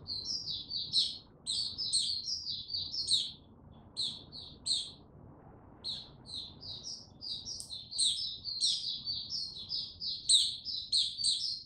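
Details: White-eye (mata puteh) singing cautiously before opening into full song: rapid high twittering phrases with sharp upward flicks, run together in long bursts with a short pause near the middle.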